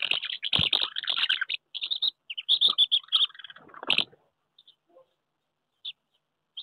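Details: Common house martins courting at their nests on a wooden house in May 2023, pairs reclaiming last year's nests amid squabbles with strangers; dry chirps run in a busy twittering stream for four seconds, then a few scattered notes, with soft rustling.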